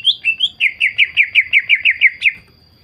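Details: Greater green leafbird lure song meant to prompt other leafbirds to sing along: two rising introductory whistles, then a fast, even train of about ten bright, downslurred notes, roughly four per second.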